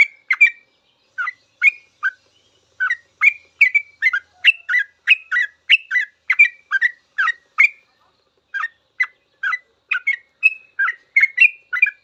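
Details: Yellow-vented bulbul giving extended 'ropel' song as a cage-bird master: twelve seconds of fast chattering chirps and slurred whistles, one short pause around eight seconds.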